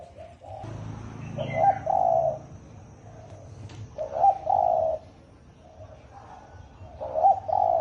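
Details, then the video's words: Spotted dove, thổ ồm and thổ đồng styles: three two-part coo phrases spaced about every three seconds, a short note then a longer hoarse coo, over a noisy background with a brief faint chirp. "Tiếng chim cu gáy thổ ồm kích thổ đồng siêu tốc lên cực nhanh cực hay"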